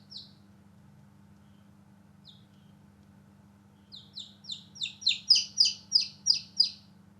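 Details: Newborn chicks playing outdoors: a few isolated high peeps, then a quickening run of loud, downward-slurred chirps about three per second, over a steady low hum.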